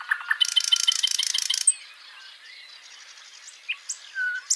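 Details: Backyard birds singing in Washington State: a loud, fast, buzzy trill of evenly repeated notes for about a second and a half, followed by quieter thin whistles and chirps.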